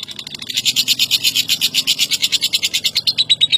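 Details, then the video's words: Lovebird, a national first-place winner, in ngekek trilling: loud rhythmic buzzy pulses roughly three per second, steady throughout, over a faint low hum. "LOVE BIRD CEREWET NGEKEK DURASI PANJANG"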